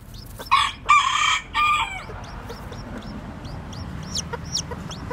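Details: Newly hatched bantam chicks, white with black tails, out walking. Three loud, nasal, harmonic calls open the recording, then soft high peeping chirps continue at an uneven pace, several per second.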